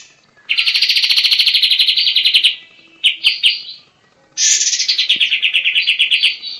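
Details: Trilling song of a White-shouldered triller: a two-second rapid trill, a few short broken bursts, then a new trill starting high and dropping slightly as it runs on.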